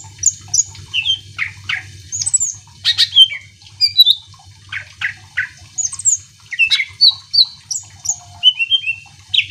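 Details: Lively greater green leafbird song played to stir other leafbirds to answer, a rapid jumble of whistled glides, downslurred chirps and harsh bursts, with a constant low electrical hum underneath.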